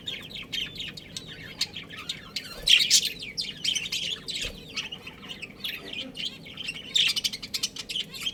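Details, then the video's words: Budgerigars, a breeding pair, keep a continuous chatter of high chirps, scratchy warbles and squeaks, swelling into louder bursts now and then. "Adorable Budgies Chirping Sounds"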